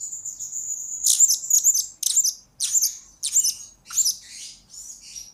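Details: Blue-crowned hanging parrot used as a lure and master recording for training birds: very high, thin chirps and buzzy trills in quick bursts roughly every half second, with a steady high tone at the start.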